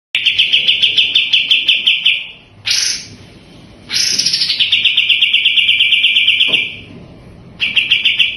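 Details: Sooty-headed bulbul in a fast, continuous 'racing' singing style, used as a master recording to train other birds. Long, rapid, buzzy pulsed trills hold a steady pitch, broken by short harsh upswept notes, then resume.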